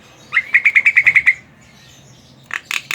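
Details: Javan myna song meant to lure other mynas into singing: eight quick evenly spaced whistled notes near the same pitch in about a second, a pause, then three harsh scratchy notes.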